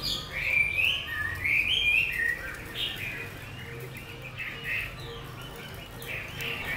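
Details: Lang Son hwamei, caged eight months, sings strongly: bright whistled notes sliding up and down in short phrases, louder at the start then softer, over a faint repeated low tone and background hum.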